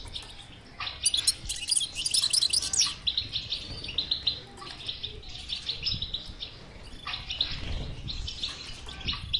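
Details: European goldfinch bitbita to get a silent goldfinch singing: an energetic burst of very high, dense, tinkling twitters, followed by quicker chattering phrases and short pauses, with a little low noise.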